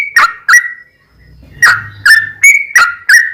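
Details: Yellow-vented bulbul giving short bursts of its energetic 'ropel' lure song meant to make other bulbuls sing: clipped, slurred whistles with sharp onsets, a brief pause after the first two notes, faint low hum behind.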